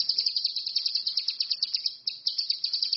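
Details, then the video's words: Orange-headed thrush (cucak kinoi, ranti mas) singing in the wild: a steady, rapid stream of high, sharp chipping notes, about seven each second, with one brief pause, over a quiet background. "SUWARA BURUNG CUCAK KINOI/ RANTI MAS, GACOR"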